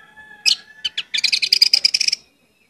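Orange-headed thrush song: a few sharp separate notes, then a rapid chattering run of high, bright phrases lasting about a second. A faint steady tone runs underneath.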